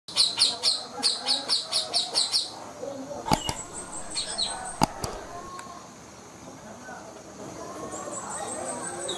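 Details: Lory calling, a bird used as a lure for trapping: a rapid burst of about nine harsh, high screeching notes over the first two and a half seconds, followed by sharp clicks and a quieter, rustling background.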